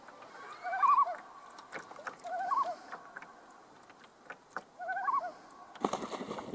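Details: A Common Loon in the Kejimkujik area of Nova Scotia yodels, the male's territorial call, giving three wavering, repeated phrases about every two seconds with lower swooping notes; soft clicks and a clattering noise follow at the end.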